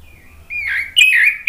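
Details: Orange-headed thrush song meant to coax another bird into singing: a thin drawn-out whistle, then a louder warbled slurred phrase, brief and clear over faint low hum.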